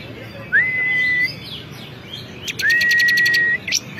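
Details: Bar-winged prinia (ciblek kristal) competition bird delivering two long steady whistled notes, the second accompanied by a fast stuttering tick series, with short upward flicks at the close.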